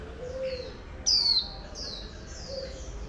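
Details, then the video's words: Oriental white-eye, a female used to stir a wild-caught male into 'líu' song. One loud high whistled note slides downward, over softer descending chirps and a low cooing dove in the background. "Khuyên Mái Kích Trống Bổi Líu Cực Nhạy"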